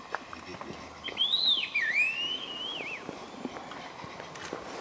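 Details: Scaly laughingthrush at Eaglenest in Arunachal Pradesh, India, giving a drawn-out whistled phrase that rises, dips and rises again over about two seconds, clear above a hissing forest background.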